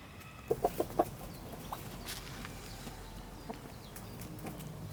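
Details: Village hens amid countryside farm activity: a quick run of four short, low clucks within half a second, then only faint background rustle and distant murmur.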